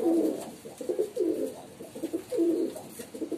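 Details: Female pigeon cooing: low, soft, throaty bubbling coos in short bursts about every second, with a faint room hum behind.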